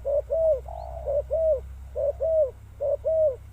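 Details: Spotted dove cooing loudly and close, paired downward-curving hollow notes repeated in quick phrases, with faint low hum behind.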